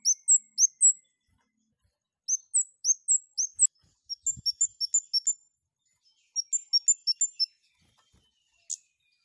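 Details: Long-tailed shrike in breeding condition, its song made of high sharp chirps in three rapid bursts of five to eight notes, each burst separated by brief pauses.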